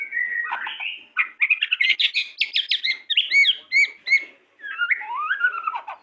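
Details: Two pied white-rumped shamas singing energetically: a dense run of quick whistled notes, sharp chips and repeated two-part phrases, then a short pause and a final string of sweeping whistles.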